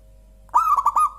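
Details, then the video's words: Local zebra dove, its song praised as clear, soft and rich: one short cooing phrase, a rolling burst of three or four quick throaty notes settling into a drawn-out hum, in a quiet setting. "JERNIH.. Suara Burung Perkutut Lokal paling empuk dan gurih"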